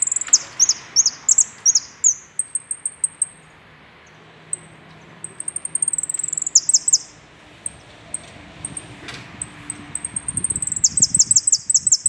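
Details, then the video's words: European goldfinch singing its complete song at noon on 24 April: a rapid, high tinkling twitter of liquid notes and buzzy trills in bursts, with a brief pause midway. "jilguero completo"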